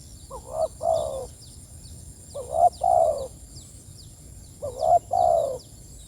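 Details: Spotted dove calling to its companions, giving three hooting two-part phrases, a clipped opening coo and a longer soft croo, spaced about two seconds apart, with faint high twittering in the background.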